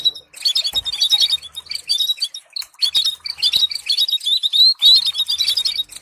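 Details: Canary song used for training canaries to sing: a bright, rapid stream of high twittering phrases, trills and short whistled notes in quick bursts with brief pauses, loud and close.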